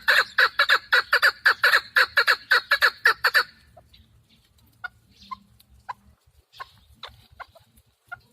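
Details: Chukar partridge kept for hunting, delivering a loud, fast run of harsh clucking chucks for about three seconds, then falling to sparse, softer single notes with quiet gaps between them.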